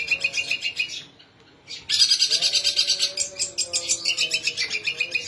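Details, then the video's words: Long-tailed shrike singing a lively song that mimics sparrow and kingfisher: rapid repeated high chattering notes in bursts, a short pause, then a dense run of fast trilled twitters with a faint steady lower tone beneath. "cendet gacor isian burung gereja dan tengkek"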